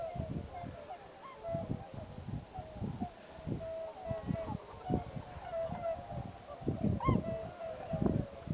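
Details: Large flock of Tundra swans at Pocosin Lakes National Wildlife Refuge, Pungo Unit, during waterfowl migration: a continuous chorus of overlapping mellow, hooting calls with a few higher bugled notes, plus low rumbling thumps throughout.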